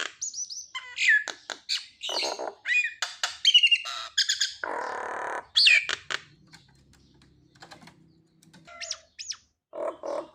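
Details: Nias hill myna song meant to stir mute mynas into singing, mixing clear falling whistles, squawky bursts and a broad rasping noise, then a quieter pause before more whistled and nasal notes.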